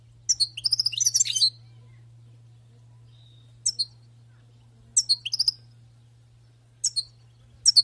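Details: Wild-caught European goldfinch singing: a fluttering burst of twittering high notes, then short clipped chirp phrases spaced over several seconds, with a faint steady low hum.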